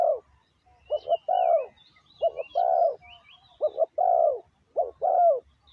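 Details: Spotted dove acting as a decoy for wild doves, giving five quick coo phrases, each a double short note then a longer falling note, over continuous thin twittering of other birds.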